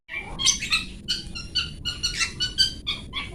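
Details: Long-tailed shrike singing for pet-bird training in the 'toet toet' style: a varied, continuous run of whistled and chattering notes that shift in pitch, some clear tones and some scratchy, with steady low background hiss.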